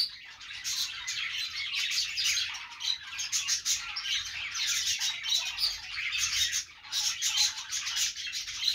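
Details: Budgies singing on a perch, a long unbroken chatter of twittering chirps and harsh squawks that swells and fades in waves.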